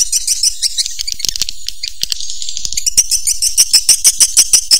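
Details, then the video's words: High, rapid twittering of swiftlets mixed with dry clicking ticks, speeding into a steady, regular series of sharp chirps near the end. "SUARA WALET MAXIMUM ORIGINAL RESPON WALET LENGKET"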